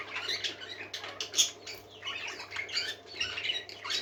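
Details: Parakeets indoors twittering softly, with rapid scratchy chirps and thin squeaks blending into a continuous murmur over a low steady hum.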